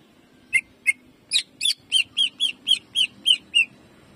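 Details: Greater green leafbird in a cage, 'jamtrok' shooting song: two sharp notes, then a run of ten rich whistled notes with buzzy overtones, repeated roughly every third of a second over faint hum.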